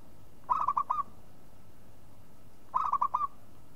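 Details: Local zebra dove, played to lure and prompt other doves to sing, giving two bursts of rapid stuttering coos, each four or five soft notes run together, about two seconds apart, over steady low hiss.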